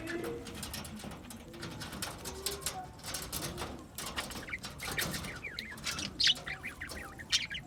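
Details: Budgerigars chattering steadily, a continuous warbling mix of short high chirps and clicks with soft lower twitters underneath, ending in a few sharper, louder chips.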